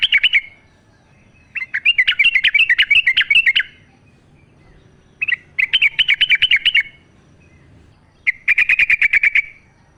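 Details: Wild sooty-headed bulbul song, natural sound used to prompt caged bulbuls to sing: four phrases of rapid, rolling, chattering notes, each roughly one to two seconds long, separated by short pauses in a quiet background.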